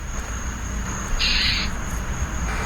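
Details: Angry northern mockingbird in a Tuscaloosa neighbourhood at dusk, swooping at and yelling at a roaming pet cat; one harsh, noisy buzzy burst about half a second long over steady traffic hum and a constant high electrical whine.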